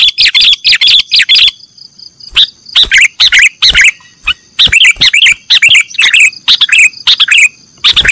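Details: Sooty-headed bulbul in the 'nggaruda' song style, a master recording for training cage birds: loud bursts of bubbly, warbled notes in quick phrases, with a short pause before dense chattering resumes and runs on steadily.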